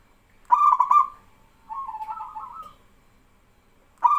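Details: Singing local male zebra dove whose calls set trainee doves answering; a loud stuttered burst runs into a purring trill, a softer rolling coo follows, then another burst starts at the end.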